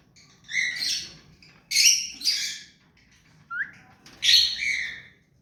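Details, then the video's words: Hand-tame rose-ringed parakeet kept as a pet, uttering four loud grating screeches in uneven spacing, with a short rising squeak between them. "Mithu parrot hand taime and clear sound"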